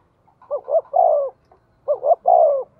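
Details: Decoy spotted dove of 'giọng thổ' voice style, quick to call: two identical cooing phrases, each of two short stuttered notes then a long, falling, mellow hoot.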